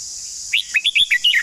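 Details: Red-whiskered bulbul long song, close and clear: seven crisp, slurred whistled notes in quick succession, each swooping up or down, delivered in under a second against faint background hiss.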